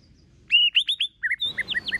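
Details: White-rumped shama in competition singing: a loud whistled note then quick descending whistles, followed by a rapid series of short chirping notes over a background hiss.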